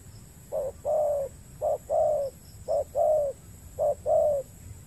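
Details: On peat ground in the Riau Islands, Indonesia, where a wild spotted dove answers a lure, a rhythmic series of paired coos sounds out: a brief note, then a longer mellow one, four times over about five seconds.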